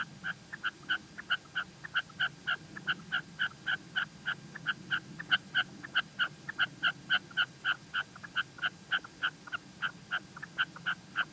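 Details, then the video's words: Female red-legged partridge calling in La Mancha, a steady run of short, sharp, harsh notes repeated about three to four times per second throughout, over a faint low background hum. "Reclamo de perdiz hembra"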